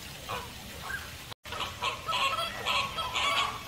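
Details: Caribbean flamingo: a few faint honks, then after a short break a louder run of nasal, gabbling calls that build toward the end.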